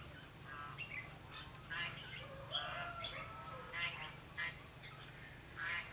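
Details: Red-whiskered bulbul singing at a trap on 21 November 2016: lively run of rich, warbling whistled phrases, repeated in quick bursts, with a lower sliding whistle midway and a steady low hum behind.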